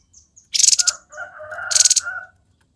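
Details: Lively 'konslet' song of a grey-headed babbler: a sharp high rattling burst, a long hoarse warbling phrase with a second high buzzy burst overlapping it, and faint high chips before.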